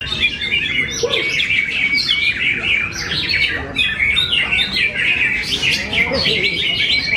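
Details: Greater green leafbird, kept as a named contest bird in Kediri, sings a dense, continuous run of chattering, warbling high notes with quick slurred phrases and mimic-like twitters, a steady high tone threading through, faint lower sounds underneath.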